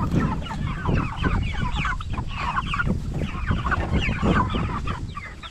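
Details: Cornish Cross broiler chickens, jumbo type, 44 days old and raised for meat, producing a loud continuous mix of clucks and chirpy peeps from many birds with low background rumble.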